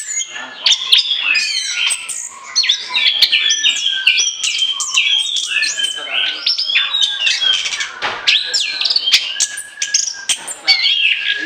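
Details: Full, nonstop song of an orange-headed thrush, recorded for luring birds: dense jumbled phrases of quick whistles, chirps and slurred notes tumbling over each other, loud and unbroken throughout.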